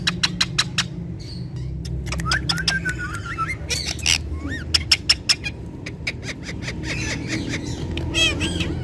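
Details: Indian ringneck parakeets, kept as talking parrots that speak Urdu and Hindi. Sharp clicks come in quick series, and rising whistled chirps cut through them. Faint music plays underneath.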